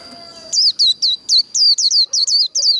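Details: Japanese white-eye líu đấu song, a short run of nine high, quick notes that each swoop downward in a buzzy, whistled slur. A faint steady tone sits beneath the bird.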